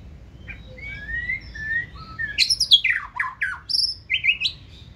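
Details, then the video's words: White-rumped shama kept in a cage, 2024 season bird, singing the 'forest voice' style: soft rising whistles open, then a rapid run of loud, varied, downward-sweeping notes and buzzy flourishes, quiet room hum beneath. "Chòe lửa bông hót giọng rừng"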